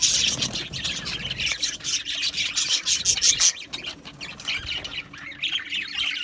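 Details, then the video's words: A colony of Australian budgies chatters nonstop in an aviary, producing rapid, overlapping high chirps and warbles with scattered harsher squawky notes. The chorus eases slightly toward the end. "Beautiful Australian Budgie birds Chirping Sounds"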